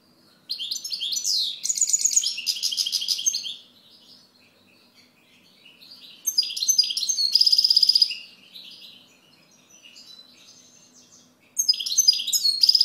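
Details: Three bursts of goldfinch song with quiet gaps, each a fast jumble of high liquid twitters, slurred notes and buzzing trills.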